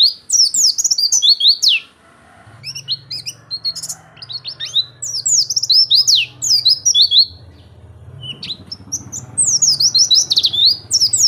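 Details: Oriental white-eye in full vigorous ngeplong song, bursts of rapid high twittering and descending slurred whistles, separated by pauses of about a second, with a low steady hum audible between phrases.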